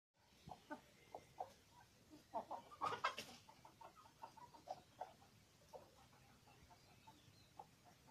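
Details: A rooster, a cross between a Polish chicken and a village chicken with a rose comb, clucks in short repeated notes, with a brief noisy burst partway through.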